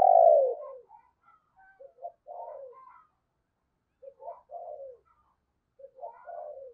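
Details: Morning cooing from a decoy spotted dove used to attract wild doves: opens with a loud falling coo, then repeated softer phrases of two or three brief notes and a longer descending coo, separated by silence.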